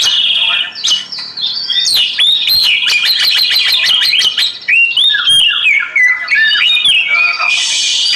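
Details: Oriental magpie-robin song mixing sharp rapid chips, a fast repeated clicking series, and looping whistled phrases that rise and fall. A rushing water hiss comes in at the close.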